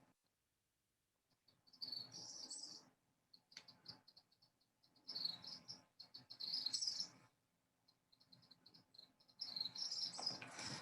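Tropical Kingbird giving high, chirpy twittering bursts, three bouts of rapid thin notes about a second long, separated by short pauses.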